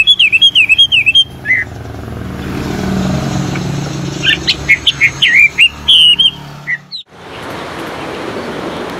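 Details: Wild melodious laughingthrush: a quick series of looping whistled notes, then scattered sharp whistles and short phrases, heard over the steady rumble of passing traffic, which drowns the final seconds.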